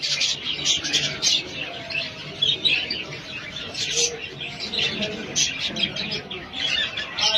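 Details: A small flock of colourful pet budgerigars (Melopsittacus undulatus), happy and eating, chatter in a busy stream of high, scratchy chirps and warbles.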